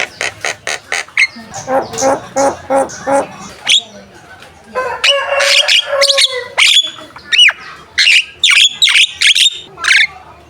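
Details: Javan myna in full contest-ready song used as a model for competition birds: a quick series of stuttering rasping notes, a burst of scratchy chatter, then sharp whistled swoops and clipped squawks repeated irregularly.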